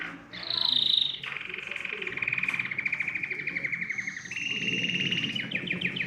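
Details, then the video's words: Canary song meant to encourage other birds to sing: a sustained rolling trill held for several seconds, switching pitch abruptly between sections, ending in quick sharp chirps. "تغريد كناري يحفّز الطيور على التغريد"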